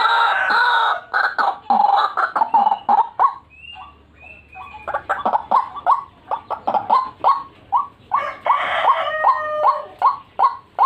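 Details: White-breasted waterhen lure recording with loud, rough calling, a lull with a few thin whistled notes, then rapid rising croaks and overlapping harsh calls.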